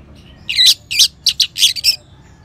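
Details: Orange-headed thrush from northern Bali, sound used to stimulate singing in other birds: five short, harsh, buzzy bursts in quick succession over about one and a half seconds.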